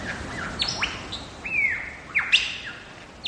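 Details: Wild lyrebird in the Blue Mountains' Megalong Valley, Australia, giving a short burst of varied song: swooping whistles, one long level whistled note, then sharp descending slurs.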